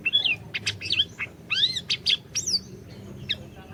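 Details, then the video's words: Orange-bellied leafbird in lively song meant to get a silent bird singing: a fast run of varied whistles, with upslurs, downslurs and bent notes packed closely for two and a half seconds, then a pause and one last note. "Masteran Burung Siri Siri Gacor, Cocok Buat Pancingan Burung Siri Siri Macet BUNYI"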